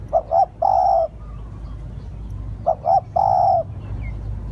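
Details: Spotted dove giving a lure call for attracting doves. Two cooing phrases, each made of two short low notes leading into a longer even coo. Faint high chirping and a low background hum are also heard.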